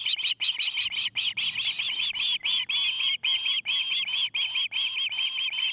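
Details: Osprey calling at its nest in Charlo, Montana, camera recording from 29 August 2018: a continuous, slightly harsh train of high, shrill cheeps, tightly packed and unbroken for nearly six seconds.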